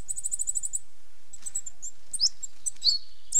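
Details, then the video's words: Coal tit song: a fast run of very high, thin repeated notes about eight per second, then a pause, followed by scattered high chips and squeaky slurred notes. "Как поет московка? 🐦 Звук поющей московки и какие звуки издает московка"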